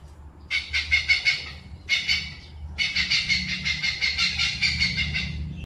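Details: Oriental pied hornbill giving loud, harsh cackling calls of rapid pulsed notes, in a brief burst, a short second phrase, then a long rattling run over a low background rumble.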